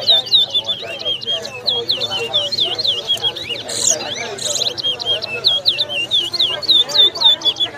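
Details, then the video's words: Large-billed seed finch (towa towa) singing in a 2022 competition at Lusignan, Guyana: loud, rapid, high whistled notes repeated in a steady stream, with a burst of sharper, harsher notes midway and people talking faintly underneath. "TOWA TOWA BIRD SINGING COMPETITION"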